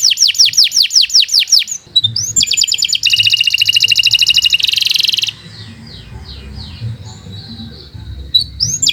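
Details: Canary in long, unbroken song suited for tutoring: swift descending whistled notes, a rattling trill, a loud rich buzzy roll, then softer sweeping notes with faint background hum.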